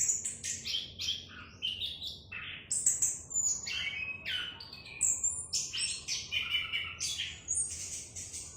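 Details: Orange-headed thrush singing with a clear voice: dense, rapid series of varied high whistles, trills and jumpy notes, phrases changing constantly and separated by brief gaps.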